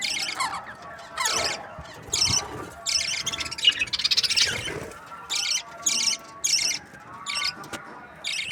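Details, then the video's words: Breeding pairs of budgerigars: regular rasping buzz bursts, each under half a second, spaced about a second apart, over soft warbling and faint whistled notes. "Budgies parrot chirping sounds | breeding pairs"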